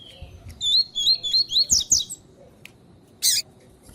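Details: Female lined seedeater calling to warm up a male in training; a rapid series of high, slurred whistled notes rising and falling, then a brief harsh burst after a short pause.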